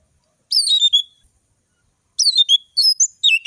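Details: Orange-headed thrush giving a short phrase of high slurred whistles, then a pause, then several brisk sharp whistled notes that rise and fall. The background is silent.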